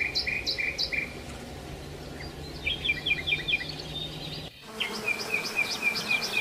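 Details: After breakfast at a Marsa Alam hotel, sparrows flock to take leftover food before staff clear the tables. Several birds give overlapping short chirps, then a brief break, then more rapid, busy chirping over a low background hum.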